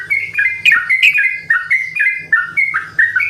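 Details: Yellow-vented bulbuls singing back and forth: bright whistled phrases, each a short high note sliding down to a lower one, repeated roughly twice a second over a faint low background hum.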